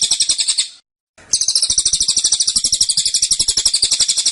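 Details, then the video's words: A caged cililin sings a rapid tembakan: a quick burst of shrill, tightly packed notes, a short gap, then a longer unbroken run of the same high chatter. "Tembakan Cililin Suara Rapat Dan Ngotot"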